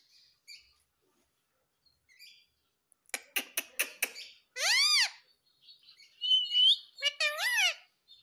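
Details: A pet parrot that speaks the words papa and mummy makes faint soft notes. A quick series of sharp clicks follows, then loud, arching, harsh squawks and a brief thin whistle.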